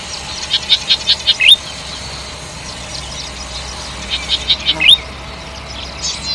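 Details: Golden-headed cisticola song: a quick series of five or six short ticking notes ending in a rising slurred whistle, given twice about three seconds apart over a quiet low hum.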